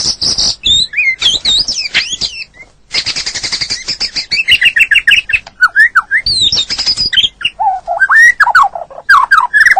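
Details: Caged white-rumped shama singing a rich training song aimed at a stressed bird that has gone quiet: dense buzzy bursts, high sweeping whistles and rapid slurred phrases with almost no pause.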